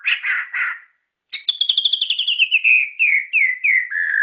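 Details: White-rumped shama, a prized hobby songbird, gives a few burry warbled notes, pauses, then a fast stuttering trill of about twenty clicks that turns into descending slurred whistles.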